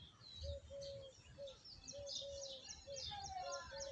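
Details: Birds chirping beneath a banyan tree: a series of short, flat whistled notes repeated about twice a second, with fainter high chirps and twittering above and low rumbling background noise.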